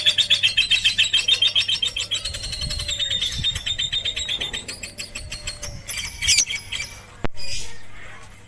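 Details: Lovebird trained on a roof with a master recording, April 2021: a quick run of shrill, evenly repeated chirps that gradually weaken, then scattered sharp clicks and a short loud chatter near the end.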